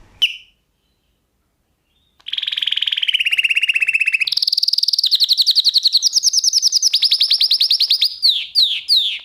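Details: Canary song played as a singing lesson for other canaries, not a nightingale: after a short chip and a pause, long rapid trills at steady pitch, stepping higher through several tours, ending in quick falling whistles.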